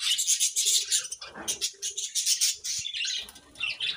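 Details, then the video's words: Morning chirping from budgerigars, a busy flow of high, rhythmically pulsed warbles and chirps with brief lower squawky notes and some wing-like rustle. "Budgies' Morning Chirping Sounds"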